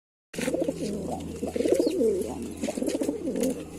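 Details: Lalsara pigeons cooing together, with overlapping low, throaty, rolling coos running almost continuously after a brief silent start, over a steady low electrical hum.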